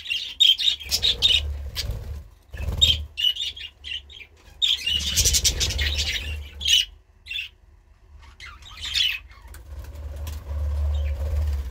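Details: Budgerigar calling with sharp chirps and harsh squawks in scattered bursts, separated by short pauses, over a low steady hum.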